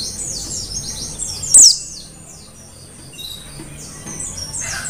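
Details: Mountain white-eye of the wild Merapi 'dakun' type, kept for tutoring other birds: high, rapid twittering chirps run throughout, with one sharper, louder descending note near the middle.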